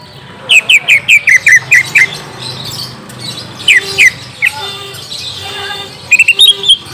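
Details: Greater green leafbird lure song played to coax a young bird into replying: a fast run of about eight sharp downward chirps, scattered single notes, then a short twittering burst at the end.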